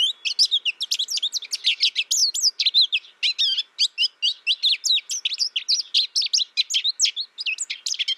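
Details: Continuous, rapid high twittering from an American goldfinch, many short sweeping notes tumbling one after another for the full eight seconds without a real break.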